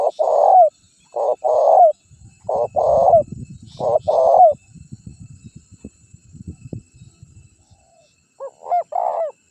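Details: Spotted dove coos used in Indonesia as a lure to draw wild rivals into calling and approaching; four paired, mellow hooting coos in quick succession, then a stretch of low rustling and knocking, and one last paired coo.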